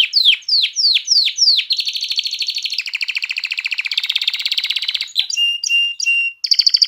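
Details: Canary song used to excite females for breeding and coach chicks, opening with five descending whistled swoops, then long dense buzzy trills, a few clear whistled notes and a final high rattle.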